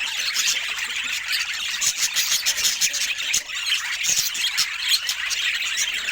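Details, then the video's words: Pet budgerigars sing as a group, a constant, rapid stream of squeaky high chirps and buzzy warbles. "Budgie Love Moments with Funny Sweet Chirping Sounds"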